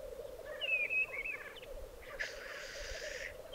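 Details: Black grouse at a lek in the Piedmont Alps, 2022: a few thin wavering whistles followed by a long, harsh hissing sneeze lasting about a second, over a steady low drone.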